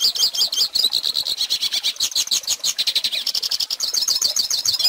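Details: Goldfinch song meant for teaching fledglings: quick, high liquid twitters and chirps tumbling in a rapid rhythm, shifting into tighter trilled notes near the end.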